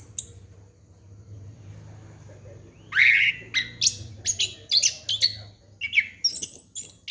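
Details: Orange-headed thrush song for prompting a young bird: after a few seconds of low hum, a lively stream of sharp, varied whistles and chattering notes runs almost continuously, over steady background noise.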